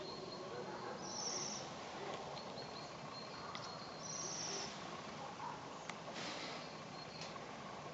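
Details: Waxwing in the Urals giving two short, high, thin trills about three seconds apart, each lasting under a second, over a steady broadband hiss with a few faint clicks.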